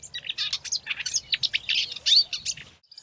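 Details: A secretive Marsh Warbler hidden in a thicket along Zaagkuilsdrift Road in late March, during a strong summer migrant warbler season, sings a fast, jumbled, nearly continuous high song of varied chirps, buzzes, whistles and mimicked phrases.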